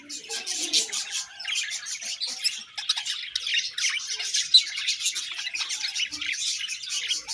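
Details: Budgerigars chattering happily as a colony, rapid high chirps and grating warbles layered together, with one sharp squeak standing out midway.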